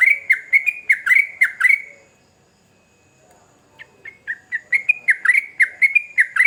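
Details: Two bursts of sooty-headed bulbul song separated by a brief silence, each a quick string of clear, bubbly, slurred notes, the second building from softer notes to a loud chattering run.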